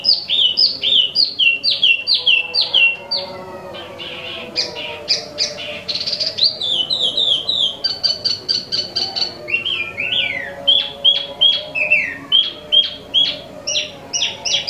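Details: Imported Tieu Mi (Wambi mini) singing continuously: rapid repeated whistled notes, sharp downward chips and sustained steady whistles, phrases changing every few seconds; quiet room hum below.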